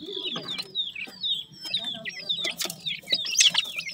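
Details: Newly hatched grey francolin chicks calling for their mother: a dense chorus of thin, high peeps and short downslurred cheeps, overlapping rapidly with little pause, over faint low rumbling background.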